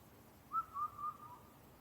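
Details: A rare Indian cuckoo calling at night near Naka-Karuizawa, Nagano, Japan gives three clear, mellow whistled notes at a steady mid pitch, each slightly lower, then a faint fourth, over quiet background hiss.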